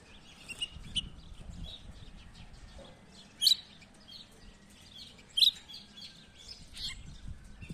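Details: A yellow-breasted, white-winged sparrow gives short, sharp, high chirps about every two seconds, over soft twittering from other small birds in the background.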